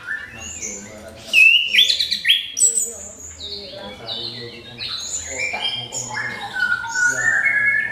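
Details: Song of an orange-headed thrush played to prompt other birds into singing: rich varied whistles, buzzy slides and quick chattering bursts in a continuous flow.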